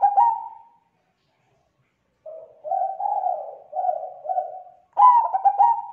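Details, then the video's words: Zebra dove lure call used to attract other zebra doves: a burst of rapid stuttering coos, a pause, then a run of soft rolling coos and another bright stuttered burst. "Suara Pikat Perkutut Suara Tebal Jernih Gacor sangat COCOK Buat Pancingan Perkutut Lain"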